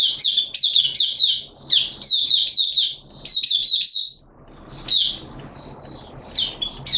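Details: Oriental white-eye from Malaysia in 'buka sing' song display, recorded 25 February 2023: quick strings of thin, high twittering notes in clustered phrases, with gaps of quiet between bursts and a low background hum.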